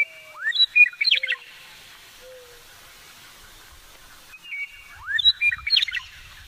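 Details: Wild male Western meadowlark singing low in sagebrush on the Polecat Gulch Trail, foothills north of Garden City, on 9 April 2017, recorded by cell phone: two flutey phrases about four seconds apart, each with a steep upward slide into jumbled warbled notes.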